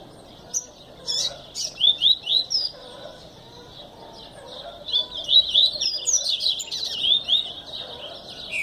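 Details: Double-collared seedeater singing: bursts of quick, sweet warbled notes with rapid up-and-down slurs, a short phrase near two seconds then a longer run after five seconds, over a faint low background hum.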